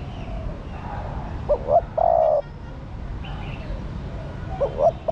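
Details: Spotted dove female calling to rouse the male: a phrase of two short upward coos and a long level coo, then quiet hiss, and the two short rising coos begin again near the end.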